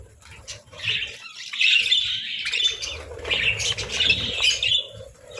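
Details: Pet budgies eating boiled eggs and breads chirp and chatter in dense high warbles. Two louder swells of squeaky, overlapping calls are separated by a brief lull.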